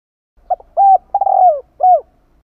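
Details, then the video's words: A single phrase from a spotted dove calling kích bổi to lure others: a clipped opening note, a steady coo, a longer burry descending coo and a clear falling last note, in a quiet setting. "Chim cu gáy gọi kích bổi"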